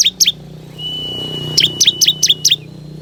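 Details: Ciblek kristal lure song for attracting forest birds: two quick downslurred chirps, a long steady thin whistle, then a run of five rapid descending chirps.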